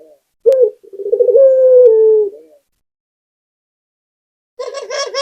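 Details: One full coo from a local puter dove, a sharp note then a purring roll into a long falling tone. After a silence, a brief harsher, buzzier repeated call follows.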